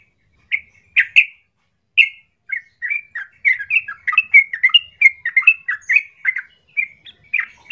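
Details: Yellow-vented bulbul singing loudly to provoke rival bulbuls: a few spaced emphatic notes at first, then quickening bursts of bubbly, slurred chirps delivered in irregular rapid series against a quiet background.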